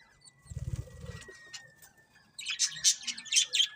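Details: Budgerigars: a low rattling flutter comes first, then after a short lull a run of loud, harsh high chirps, about five in quick succession.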